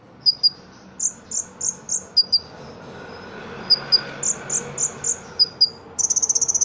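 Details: Caged Ruby-cheeked sunbird from Cililin singing its cricket-filled contest song: high metallic chips, series of upslurred whistles roughly every third of a second, ending in a loud sustained pulsed cricket-like trill.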